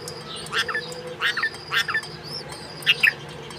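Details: While feeding her twin chicks, a bulbul gives short clustered chirps, three close groups in the first two seconds and a sharper double note near the end, against soft background twitters and hum.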